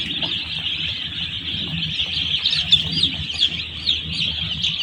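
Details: One-day-old chicks crowded in a poultry farm keep up an unbroken shrill peeping chorus, individual thin peeps overlapping constantly, some slightly louder calls poking through, over soft low rumble.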